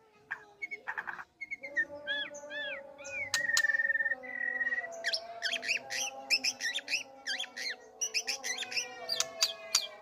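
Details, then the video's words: White-rumped shama courting, pouring out a rich, varied song of whistles, trills, sliding notes and rapid sharp chips, with a steady low droning tone running underneath throughout. "rayuannya tiada di ragukan lagi murai batu merayu muntahkan semua isian"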